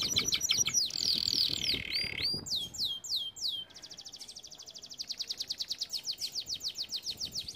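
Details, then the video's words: Canary training song: fast high trills and a held note, then several slow, loud downward-swooping whistles, followed by a long even rattle of quick repeated notes. "Most powerful song for training Canary"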